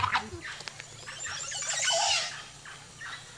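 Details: Male ocellated turkey strutting in a flamboyant courtship display at Chan Chich Lodge, Belize, trying to attract a mate. Brief bursts of rough, rapid notes build to a louder, dense rolling phrase in the middle. Other forest birds call in the background.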